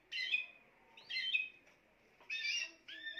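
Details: Spanish timbrado canary singing: four bursts of bright, warbling, slightly buzzy phrases, each about half a second long, separated by short pauses, with a faint steady hiss underneath.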